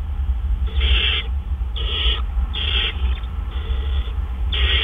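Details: Owl calling at 4:03 AM on 12 April 2013 as a male delivers food. Harsh, raspy hissing bursts last about half a second each, repeating roughly once a second over a steady low hum.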